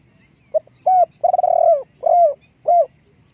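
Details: One complete spotted dove phrase from a decoy bird: a brief hoot, a rounder coo, a long tremulous rolled note, then two clipped coos.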